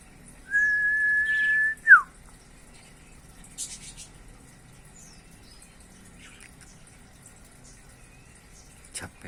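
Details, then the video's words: Common iora giving a sustained clear whistle that ends in a sharp downward slur, followed by faint scattered notes and a brief spoken word near the end. "burung sirtu/cipoh gacor variasi"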